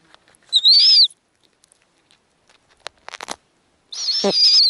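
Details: Snowy owls at an Arctic nest as a female feeds small owlets while the last eggs hatch. Two shrill, quavering screeches are separated by a few sharp taps and clicks.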